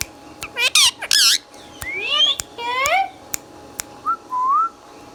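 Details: Pet green ringneck parakeet from India gives loud, harsh, screechy calls and speech-like warbled phrases rich in harmonics, ending with two soft rising whistles; sharp clicks tick throughout.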